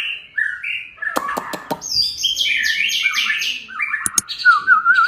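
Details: White-rumped shama in energetic gacor singing, played to get other shamas singing: a varied run of clear whistles, buzzy slurred phrases and sharp clicks, ending in a wavering whistled note.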